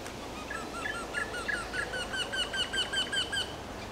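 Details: Eurasian wryneck (Jynx torquilla) singing: a run of about a dozen nasal, plaintive 'kyee' notes, four per second, over faint outdoor hiss.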